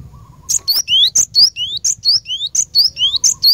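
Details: Cinereous tit singing for training caged birds: a steady run of high, bright rising slurred whistles alternating with sharp chips, roughly three notes a second, over a faint low background hum.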